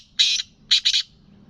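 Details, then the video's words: Black francolin of Gangas lalpotia and Sindhi cross calling: one long harsh rasping note, a pause, then a quick doubled grating note, with faint low hum underneath. "Gangas lalpotia Cross Sindhi kala Teetar ki awaz"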